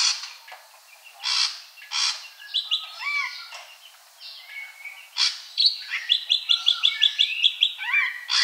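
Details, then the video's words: Ashy drongo song: varied clear whistled notes and slurred phrases around mid-high pitch, broken by harsh broadband bursts, ending in a rapid run of about a dozen sharp, evenly spaced high notes. "Srigunting Abu Abu Agar Rajin Bunyi"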